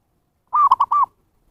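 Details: Zebra dove cooing used as a lure for wild birds: a single quick phrase of four hollow coos, longer first and last notes framing two brief clipped ones, clean with no other sounds.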